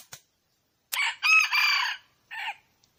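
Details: Calling wild red junglefowl hen. A faint click is followed by a harsh, crowing-like phrase: a short opening note, a long strained middle section and a brief trailing syllable. A soft tap sounds near the end.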